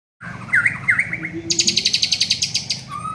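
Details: Young white-rumped shama in training: a few slurred whistles around the middle range, then a fast run of sharp, high ticking notes repeated about three times a second, with a soft low hum behind.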